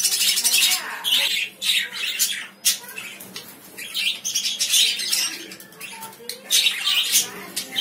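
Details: Lovebirds chattering almost nonstop in rasping, high-pitched chirps, dense at the start and end with a brief quieter stretch in the middle.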